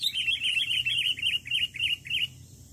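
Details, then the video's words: A wild sooty-headed bulbul gives a lively run of bubbly, slurred chirps, about five a second for two seconds, over a faint low hum. "Pikat Burung Kutilang Kutilang Gacor"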